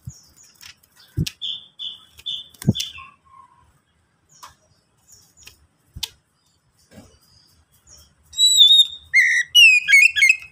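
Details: An Oriental magpie-robin (kacer), played as a lure to get birds singing quickly, gives a few repeated high whistled notes, then a loud, rich run of varied sweet whistles and trills with scattered clicks and knocks.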